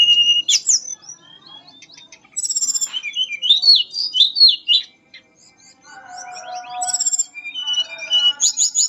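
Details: Mangrove blue flycatcher, called tledekan bakau, singing a melodious fluting song: clear whistled notes and slurred phrases high in pitch, broken by short pauses, with lower buzzy notes in the middle of the phrase.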